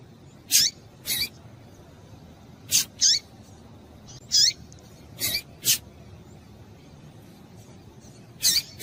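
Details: Repeated calls of a female double-collared seedeater, meant to excite males: roughly a dozen quick high chips, often in pairs, irregularly spaced, some with a short falling slur, against faint background hiss.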